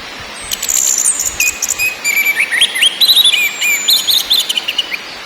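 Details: Orange-headed thrush lure song featuring ngakrak, ngeplong and nyiul styles: fast, high-pitched chattering runs mixed with thin drawn-out whistles and quick repeated trills, delivered in short loud bursts.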